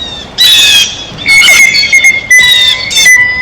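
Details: A few loud, coarse squawks from blue jays at a feeder, spaced unevenly and trailed by a thin, level whistle-like tone.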